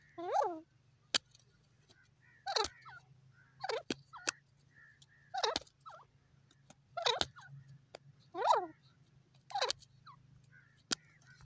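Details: Grey francolin (teetar) calling repeatedly. Harsh, nasal, wavering notes come about every one to one and a half seconds, eight in all. Sharp isolated clicks fall between the calls over a constant low electrical hum.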